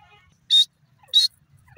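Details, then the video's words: Grey francolin, called dakhni teetar, calling: two loud, harsh, shrill notes about half a second apart, each very short, over a quiet background. "dakhni teeter calling,teetar bird sound"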